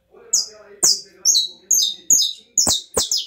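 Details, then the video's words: Canary with estralado song, crisp cracking high notes that drop steeply, delivered about twice a second, over a soft low background hum. "CANÁRIO CANTO ESTRALADO"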